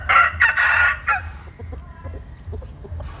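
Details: A chicken sunning at dawn crows once, a loud, harsh phrase of about a second, then faint, sharp chirps and clucks from other birds nearby.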